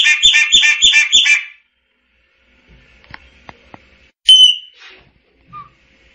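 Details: Chopi blackbird in song, opening with five fast repeated rich whistled phrases, then faint clicks and a single loud clear whistle with a soft final note.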